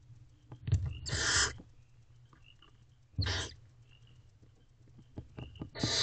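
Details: Female barn owl with owlets in a nest box at night in April, feeding time: three rasping hiss bursts of uneven length, with soft clicks and shuffling in between and a faint low hum throughout.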